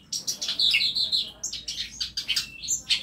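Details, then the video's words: Short burst of chattering, high twitters and sharp chirps from masteran birds kept in an aviary built into a small space at home. "KANDANG AVIARY ISI NYA BURUNG BURUNG MASTERAN"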